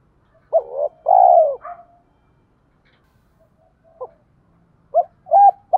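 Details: Spotted dove luring wild rivals to fight with 'giọng thổ' cooing: a hooked note, a loud long falling coo and a soft tail, a quiet stretch with faint single notes, then two short rising-falling coos.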